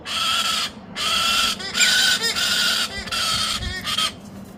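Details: Young galah giving loud, raspy, drawn-out screeches in uneven bursts of varying length, harsh and noisy in tone, with short breaks between them and a fading end.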